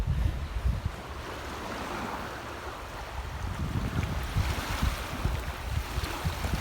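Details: Steady low rumble of wind and water, like waves or wind buffeting the microphone, with no bird or other animal call standing out.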